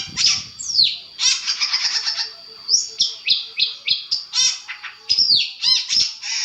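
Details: Long-tailed shrike master recording aimed at provoking answers: lively high chirps, downslurred whistles and buzzy trills in rapid succession.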